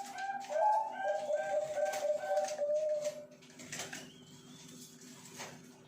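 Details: Zebra dove breeding stock in farm cages in Pasuruan: a rapid, rolling trilled coo lasting about three seconds, then quieter hum and faint clicks from the room.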